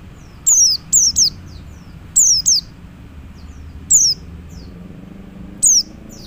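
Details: Calling to other white-eyes, a male Oriental white-eye gives high, thin, falling whistles in quick doubles and triples, then single notes, roughly eight notes in six seconds over low background hum.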